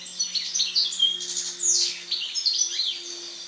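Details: European goldfinch after its moult, pouring out a continuous jumble of high tinkling notes, rapid chatters and slurred whistles, with a faint low hum underneath.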